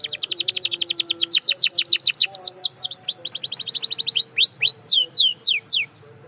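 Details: Canary song used as a singing-practice recording: quick rolls of falling whistled notes at a brisk tempo, changing to slower, wider swooping notes near the end before stopping abruptly.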